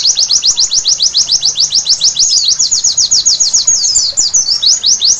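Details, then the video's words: Night-time white-eye song, given as therapy to get birds singing vigorously: an unbroken, rapid sequence of high, falling chirps, steady and rhythmic, with a few knotted twittering notes toward the end. "Terapi Pleci Malam Hari Bikin Gacor seketika!!!"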